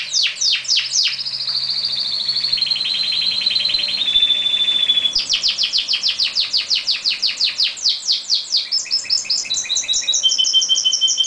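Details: Two Belgian canaries singing as if in a duel, trading fast, bright song: rapid rolling trills, a long steady whistled note, then quick chattering phrases and high piping tours, all high-pitched and continuous.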